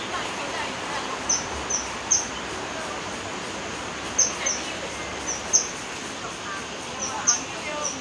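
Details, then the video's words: Kingfisher call: thin, shrill, high piercing notes, single or in quick pairs, about every second, over a steady rushing hiss, likely running water. "Kingfisher call, 翠鳥叫聲"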